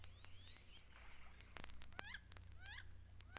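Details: Wood ducks at Mountain Lake Sanctuary, Lake Wales, Florida, where they nest in boxes in the trees, give thin rising squealed whistles, a few in quick succession, over a steady low hum.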